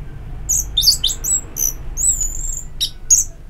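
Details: Orange-headed thrush singing in ngeplong therapy audio meant to prompt singing: scattered sharp, high whistled notes and quick slurred chirps, irregularly spaced, with some upward and downward sweeps.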